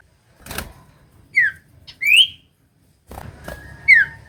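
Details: Common iora song used to coax a reluctant bird to sing: a few clean downslurred and upslurred whistles spaced about a second apart, with faint knocks and low background hum.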